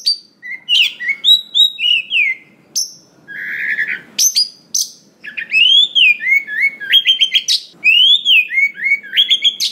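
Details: Oriental magpie-robin, a wild-caught forest bird, delivering a busy song packed with fill phrases, meant to provoke rivals to sing. Rapid varied whistles, sharp high notes and arched slurs follow one another almost without pause.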